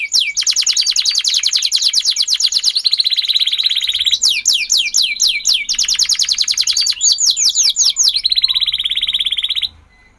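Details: Domestic canary with standard-type song: a continuous, high run of rapid repeated trills and sweeping rolls, each phrase held for a second or two before switching to the next.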